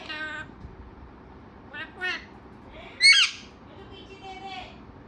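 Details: Talkative parrot: short harmonic, voice-like phrases at the start and near two seconds, a loud harsh squawk at three seconds, then a softer buzzy phrase near four and a half seconds, over faint steady background hiss.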